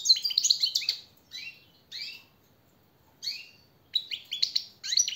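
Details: A European goldfinch sings a training song for caged birds, short clusters of high tinkling chirps and slurred notes, separated by brief gaps.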